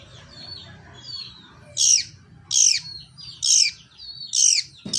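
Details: Long-tailed shrike in fighting mode with its suara gereja song style: loud harsh, rasping downward notes roughly once a second, separated by softer thin chattering calls, over faint low rumble.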